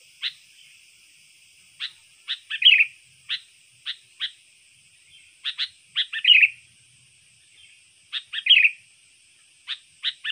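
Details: Lure song of a trained sooty-headed bulbul, sung persistently for trapping wild birds and for tutoring contest birds: clipped single chirps alternating with short gurgling phrases, in groups recurring every few seconds, with a faint constant high hiss.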